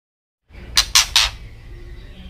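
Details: White-rumped shama giving a ketrekan call meant to make other birds agitated: a single set of three harsh, rasping bursts in quick succession, then quiet room tone.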